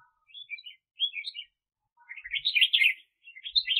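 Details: Red-whiskered bulbul used as a trapping decoy in 2021, delivering short chirpy notes that build into a dense, rollicking warble, then a further brief phrase.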